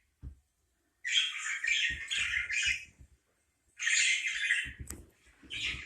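A parakeet gives bursts of harsh, scratchy chattering, each lasting one to two seconds, with soft low thumps in the background.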